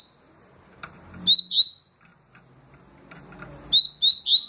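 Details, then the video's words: Double-collared seedeater in tui tui and deputado song styles: a pair of loud rising whistled notes, a short quiet gap, then three more clear upslurred whistles. "Papa capim tui tui canto e deputado canto"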